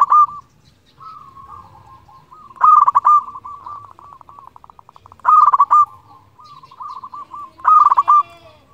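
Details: Zebra dove of local stock calling to provoke rivals, used for luring: three loud staccato cooing bursts, separated by quieter rapid trilled and looping coos from other doves.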